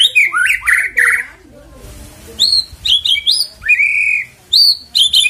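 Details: White-rumped shama song meant to lure the bird into singing: bright, rich whistles and chattering slurs in bursts, one near-silent gap, then clipped high notes again.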